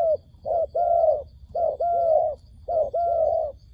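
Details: Dove call used as a trapping lure: three clear phrases, each a short note followed by a long, level, slightly wavering coo, spaced over a second apart, with a faint high hum.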